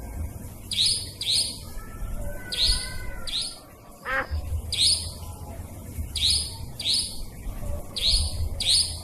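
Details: Lure recording of a nightjar for trapping: sharp upswept high chirps in pairs, repeated steadily, interrupted once by a falling wavering whistle and a faint whistled tone, with low background hum.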